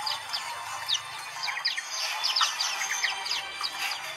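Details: Group of caged white-eyes in full chorus, meant as singing therapy for birds that fell silent; sharp high chips and brief descending whistles tumble over one another without pause, over a faint hissing background.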